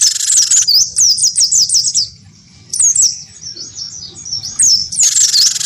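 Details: Great tit, wingko type, provoked by a white-eye into fighting sounds: a harsh rasp opens, then rapid high slurred whistles, a quieter stretch of thin notes, and another rasp at the end.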